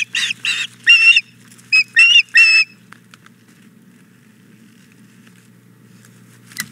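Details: Piercing begging chirps from a female osprey after her mate delivered a fish, Hog Island Boathouse nest, 4 May 2017, 9 a.m.: about seven strong, uneven notes in two bunches, then near silence with faint background hum.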